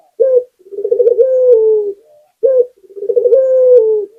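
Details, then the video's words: Local puter dove in full song: a brief sharp coo, then a trilled, rolling phrase that settles into a smooth descending coo, the pattern given twice in close succession, clean and indoors-sounding. "Suara Burung Puter Gacor"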